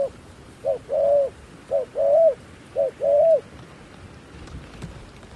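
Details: Decoy dove calling to lure wild doves down, repeating a three-part cooing phrase three times: two short low hoots then a longer, steady, mellow coo, about one phrase per second, over faint background hiss.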